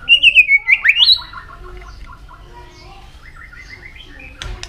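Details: White-rumped shama in a fighting-song bout, flicking its tail continuously while singing: a rich whistled phrase that slides up and down through several notes for about a second, then falls quiet with faint background sounds.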